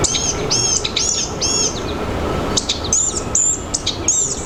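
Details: Blue-gray gnatcatcher (Polioptila caerulea) singing in forest: thin, very high, squeaky notes in quick bursts about every half second over a soft background hiss.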